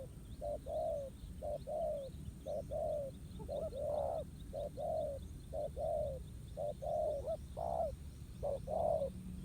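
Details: Spotted dove contesting a decoy in a ground trap; steady cooing couplets with a brief lead note and a fuller falling coo, about one per second, some higher-pitched coos, faint chirping and low rumble behind.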